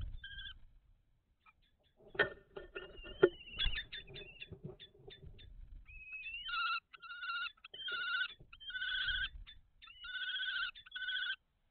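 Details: Common kestrels at their nest box in May 2023 calling during a food transfer: thin whining notes, then scuffling, then loud, drawn-out, quavering trills that rise and fall in several bursts.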